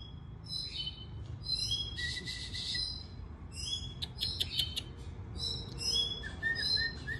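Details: A Mexican goldfinch of the type called 'cabresto' sings a fast, rambling run of high twitters, buzzes and thin whistled notes, almost without pause, over a low steady rumble.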